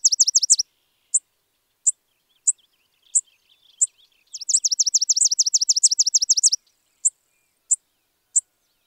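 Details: Spizella sparrow alternating high, fast trills of repeated slurred notes with evenly spaced single chips about every half second.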